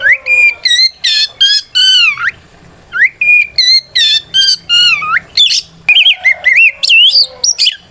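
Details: White-rumped shama (kacer), a lively fighting-style song used to provoke other shamas into answering: loud clear whistles and rich warbled phrases, with sliding notes and rapid bursts in quick succession.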